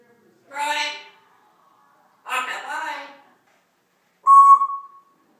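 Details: Pet Congo African grey parrot talking indoors, giving two harsh, speech-like phrases with a pause between them. It ends with a clear, steady whistled note that fades out.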